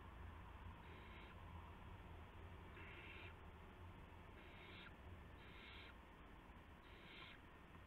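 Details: Owls at a nest after midnight on March 19, 2016, during prey deliveries of mice and a gopher to owlets: five short breathy hissing bursts spaced about one to two seconds apart over a steady low rumble.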